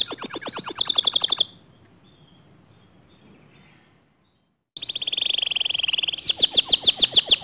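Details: Canary song said to provoke other canaries into singing: a fast high trill, a long quiet pause with silence, then a steady buzzing trill and rapid repeated sweeping notes.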